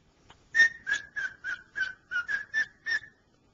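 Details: A pet male cockatiel works on whistling "Dixie", producing a run of about nine short bright whistles at a steady rhythm, pitch dipping slightly mid-phrase before settling back.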